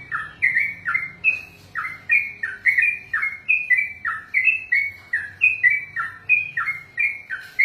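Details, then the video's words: Contest-trained sooty-headed bulbul (trucukan) in long 'ropel' singing: a continuous chain of mellow whistled couplets, each dipping from a higher to a lower slurred note, repeated evenly over several seconds. "ROPELAN BURUNG TRUCUKAN TERPANJANG DALAM SEJARAH"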